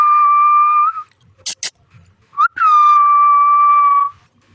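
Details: Pet green parrot interacting with its owner whistles a long, pure, level tone, pauses amid a couple of sharp clicks, then slides up into another long, even whistle lasting about one and a half seconds.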